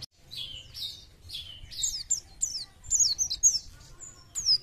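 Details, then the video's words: Oriental white-eye, shown as fit and singing freely, giving a varied run of high, thin chirps and quick downslurred whistles. The phrases come in irregular bursts over a faint low background rumble. "PLECI JOSS ..BUKPAR KEREN..FIT NGICAU LOSS"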